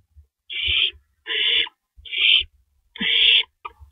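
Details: Owls at a nest before dawn on April 4, 2012, as rabbits are delivered as prey: four raspy, hissing screeches, each under half a second, repeated roughly once a second, with soft low knocks between.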